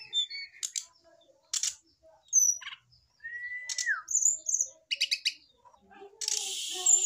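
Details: Caged male brown-chested jungle flycatcher responding to a female put against its cage: mixed chirps, a long steady whistle falling at the end, rattling buzzy bursts, and a harsh noisy rush near the close.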